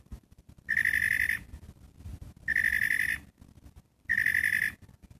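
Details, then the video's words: Three harsh, rapidly pulsed catbird notes at a steady pitch, about 0.7 seconds each and spaced roughly 1.7 seconds apart. "CATBIRD! WHAT BIRD IS THIS? IS THIS A BIRD? BAT? OWL?"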